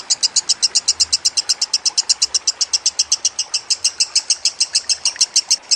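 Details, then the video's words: Lovebird singing for a master training recording with gurgling water: a steady series of high, clipped chirps, roughly five or six per second, evenly spaced and sustained without pause. "Masteran Lovebird Kusumo + Gemercik Air"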